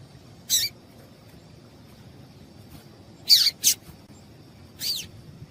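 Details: Female double-collared seedeater calling to excite the male, used by keepers preparing birds for singing contests: three brief, high, sharp chirps spaced a second or more apart, the middle one doubled, over a faint low hum.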